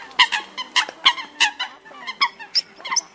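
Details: Eurasian coot calls as a lure for trapping migrant birds with nets at night, August 2024: a steady series of loud, harsh honks about three per second, fading into softer, thinner notes toward the end.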